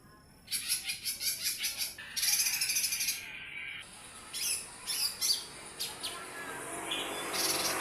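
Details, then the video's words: Lesser green leafbird, small form, singing actively: a rapid chain of high chattering notes, then a longer buzzy passage, followed by scattered sharp chips and short trills. "CUCAK IJO MINI GACOR NEMBAK"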